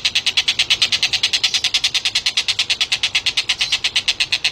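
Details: Collared kingfisher recorded as a master voice for training competition songbirds, giving a steady unbroken string of sharp, high, chattering notes, about six each second, throughout.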